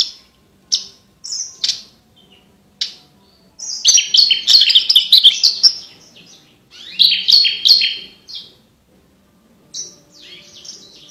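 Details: Javan bush lark song for tutoring contest birds: scattered high chirps and short whistled notes, then a dense jumbled warbling phrase and later another chattering burst, with quiet gaps between.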